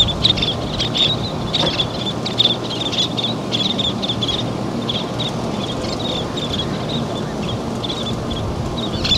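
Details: Least terns at a sand nesting site, adults feeding their chicks, give sharp, high, raspy chips in quick irregular bursts, several birds overlapping, over a steady rush of wind and surf.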